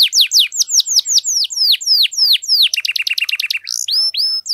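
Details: Prolific canary singing in the long gacor style used to rouse silent birds: repeated steep descending whistles, then a quick stuttering trill of short notes and two clear upward-bending whistles at the end.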